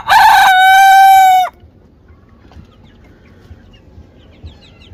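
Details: Rooster crowing in South Korea: a loud crow whose opening burst gives way to a long, steady, strongly harmonic held note that ends abruptly after about one and a half seconds, followed by quiet background.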